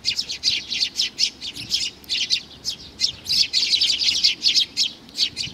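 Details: Little young sparrow repeating high, bright chirps in clipped groups, close and clear, with a steady quick rhythm and a quiet room-like background.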